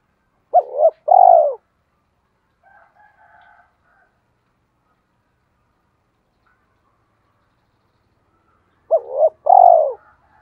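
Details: Spotted dove used as a lure for wild doves, from Hai Hậu, Vietnam: two cooing phrases of a quick double note and a falling coo, separated by long silence with faint soft murmurs.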